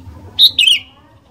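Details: Sooty-headed bulbul, a frequent 'gacor' singer whose song serves as a lure to prompt other bulbuls to sing: a brief two-part phrase, a clear whistled note then a quick slurred, descending warble.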